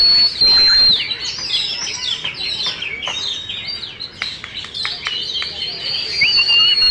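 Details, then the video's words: Oriental magpie-robin, a caged contest champion with tail fully fanned, pours out a rapid, busy song of sharp chirps and sweeping whistles, with a sustained high whistle running through it. "KACER BUKA EKOR FULL DAN JUARA"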